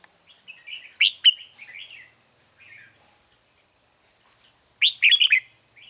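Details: A Red-whiskered bulbul in a trapping setup, 9 March 2020, gives scattered soft warbles and sharp chips, then a loud, rushed phrase of bubbling whistled notes near the end.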